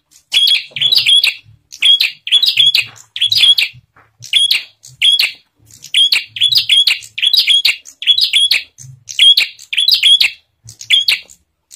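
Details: Bar-winged prinia, used as a lure to make other prinias sing: loud, high, chattering bursts of squeaky chirps, phrases repeated roughly once a second with brief pauses between, amid music.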